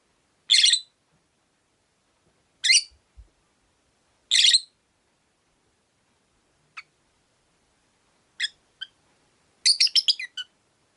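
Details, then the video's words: Caged Rosy-faced lovebird, one of five pets by a window: three loud rasping chirps about two seconds apart, then sparse softer ticks and a quick stuttering run of short high notes. "Lovebird Chirping Sounds"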